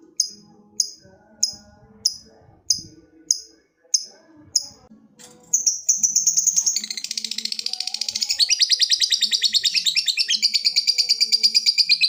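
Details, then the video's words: Lovebird calling a rival: eight sharp high chirps spaced about half a second apart, then a long, rapid ngekek chatter that starts and grows louder and denser to the end. "Suara burung lovebird ngekek panjang | Memanggil lawan"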